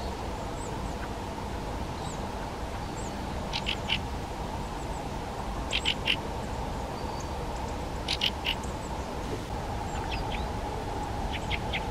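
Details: Fieldfare calls: short harsh chattering bursts of several rapid clicks in three clusters about two seconds apart, over a steady low hum and faint distant chirps.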